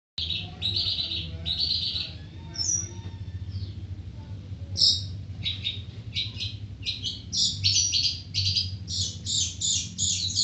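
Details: Long-tailed shrike singing: high, scratchy chattering notes, some harsh bursts, then a rapid run of short repeated chips, over a steady low hum.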